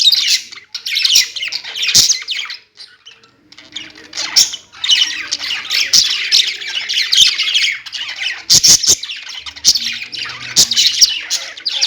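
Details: Several household budgies chatter in rolling bursts of high, gritty warbling and chirps. There is a brief near-quiet gap early on, then steady overlapping chatter with occasional sharp clicks.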